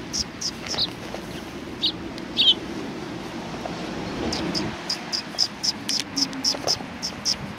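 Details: Sparrows arriving to be fed at a Tenmangu shrine on 19 September 2020: scattered chirps at first, then a steady run of short chirps repeated roughly every quarter second, with low rumbling background noise throughout.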